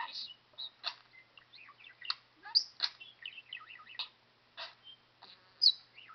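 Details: Budgerigar kept as a talking pet warbles continuously indoors: rapid high scratchy notes, twisting whistles and squeaky accents running without pause for six seconds.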